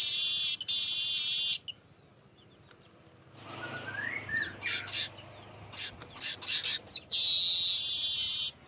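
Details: Burung manyar, or baya weaver, singing on and on as a lure: a long hissing buzz, quiet gap, a faint rising whistle and scratchy chatter notes, then the wheezy buzz returns.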